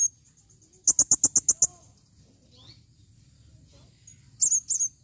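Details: Calling female blue-crowned hanging parrot gives a fast, evenly spaced series of about seven piercing high chips, then near-silence with faint background chatter, ending with two or three shrill, slightly warbled notes.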